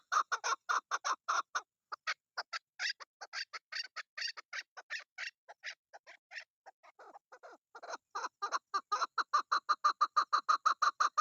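Chukar giving a long run of harsh, clucking chuck notes, about three a second, briefly loosening in the middle and then quickening into a steady, insistent series.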